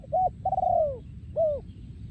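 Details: Breeding male spotted dove giving a song in the style called โยนคูอ่าง: a short coo, then a long, level, slowly falling coo, a pause, and another short coo. Low rumbling background noise is heard throughout.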